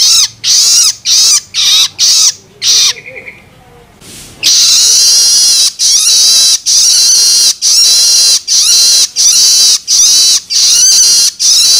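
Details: Juvenile long-tailed shrike begging calls, used to stimulate adult birds: loud, harsh rasping notes repeated in rapid bursts about every half second, with a short quieter pause early on.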